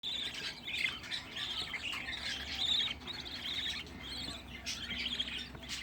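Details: Sixteen home-bred budgerigar chicks gathered in one place, raised as a hobby; a quieter, dense chorus of raspy, scratchy chirps overlapping continuously, with brief louder squawks near the middle.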